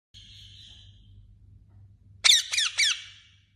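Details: Parrot sounds: a thin steady whistle fades out, then after a brief quiet come three sharp, loud, downward-sweeping squawks in quick succession, over a faint low hum.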